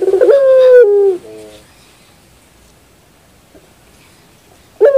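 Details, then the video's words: Barbary dove giving one long, low, slightly falling coo followed by short softer notes, a long near-silent pause, then a new loud coo bursting in at the very end. "your puter bird will definitely sound"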